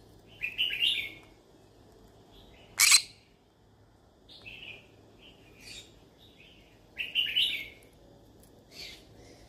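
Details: Pet yellow-sided conure wanting friends to talk to makes scattered short chirps and squeaky notes with one abrupt harsh screech in the middle, over a low steady hum.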